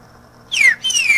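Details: Green-winged saltator song used to teach young birds to sing: two rich, clear whistled notes, the first sliding steeply downward, the second longer and gently falling, against a quiet background.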